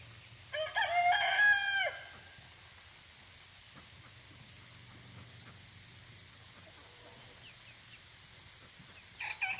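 A rooster gives one loud, harsh crow of about a second and a half, followed by near-quiet with faint background noise and a brief sound at the end.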